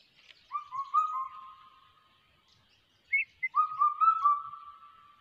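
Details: Crested hawk-eagle chick in ATR forest giving two bursts of clear whistled notes, each a short run of slightly rising, slurred whistles that trail off, separated by a pause of about two seconds. The background is quiet.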